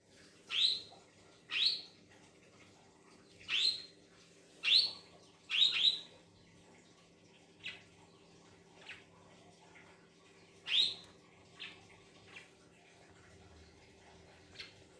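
Young budgerigars give sharp, high chirps in loose, uneven bursts over a low steady hum.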